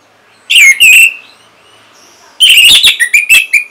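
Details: Orange-headed thrush from North Bali, singing as a lure for other songbirds: a pair of slurred whistles, a pause, then a fast jumble of sharp, varied notes.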